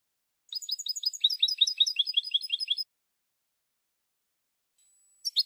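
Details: Spanish European goldfinch song for silvestrismo: a fast, even series of repeated twittering notes, first higher-pitched, then a lower run, lasting over two seconds, followed by silence and two sharp chirps.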